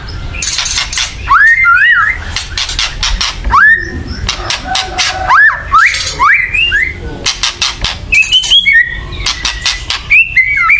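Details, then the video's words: Loud agitated chattering of a white-rumped shama, used to provoke birds into song: bursts of harsh rattling clicks interleaved with ringing whistled slurs and short warbled phrases. "kretekan keras murai / menaikan emosi agar bunyi"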